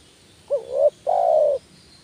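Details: Spotted dove call used to lure doves: two low coos, a short rising-then-level note followed by a longer steady coo, over faint background hiss.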